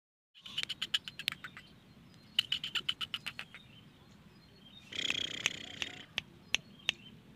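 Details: Black francolin calling in the jungle: bursts of sharp, dry clicking notes in quick series, a scratchy buzzing stretch midway, then a few widely spaced single clicks.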